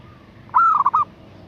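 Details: A female zebra dove's cooing call to a male, one phrase of a drawn note, quick warbling pulses and a final held note, over light background noise.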